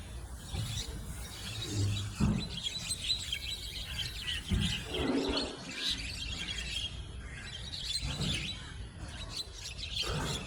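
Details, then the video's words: Several Javan mynas brawl after two birds square off, then others join, jostling and chasing; rough squawks and chirpy chatter come in bursts with brief louder notes around the middle, over constant low-frequency background noise. "Javan Mynas Birds Go WILD & Turn This Duel Into a CHAOTIC Gang Fight!"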